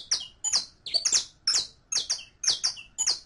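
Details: Captive-training song of a saffron finch: seven loud, doubled high chirps, each a quick two-part note, spaced roughly twice per second in a clean, quiet background.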